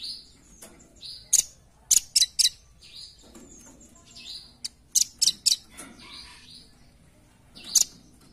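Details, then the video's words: Velvet-fronted nuthatch calling as a lure: hard, very high chip notes given singly and in rapid bunches, interspersed with softer buzzy trills, irregular in timing. "Suara Pikat! Pancingan Handal Burung Rambatan Paruh Merah"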